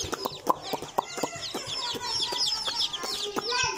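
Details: A group of baby chickens cheeping while playing: thin, high, descending peeps overlap continuously, interrupted by loud tapping clicks.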